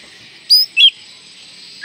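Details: Oriental magpie-robin song used as a lure to get young birds singing: three short, clear whistled notes, the first high, the second lower and sliding, the last a rising slur, over a steady high hiss.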